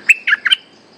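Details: Bulbul, a resident wild bird answering a hung caged lure bird, gives three quick, loud, bright chirping notes that slide between higher and lower pitches in about half a second, then silence.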